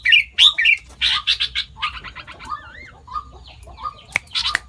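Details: Sooty-headed bulbul singing and mimicking more than five other bird species: a quick jumble of harsh squawky notes, short rapid chirp series and wavering whistled phrases, ending in a few loud sharp notes; faint low rumble behind.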